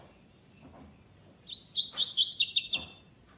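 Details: Coleiro, or double-collared seedeater, singing the classic style without third note for a web tournament's second stage: a thin, drawn-out whistled opening, then a rapid, loud series of high, scratchy repeated notes, with faint background hum.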